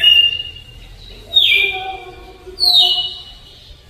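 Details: Red-cowled Cardinal in the slow Alagoas flute-style song, three loud whistled notes that drop sharply then hold steady, with softer lower harmonics trailing each phrase and quiet gaps between.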